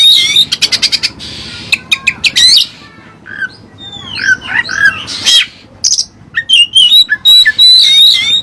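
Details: Oriental magpie-robin, called kacer, singing with Cililin fill-in material: fast repeated ticking notes, curving whistles and harsh bursts, ending in an energetic run of high warbles.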